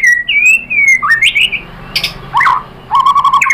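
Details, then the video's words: White-rumped shama singing a lure song meant to stir other shamas into full song and reveal their mimicked phrases: a clear level whistle, then rising and falling slurred notes, short high buzzy bursts, and a quick run of even notes. "Suara MURAI BATU jadi EMOSI GACOR BONGKAR ISIAN | PANCINGAN MURAI ¦ SHAMA BIRD"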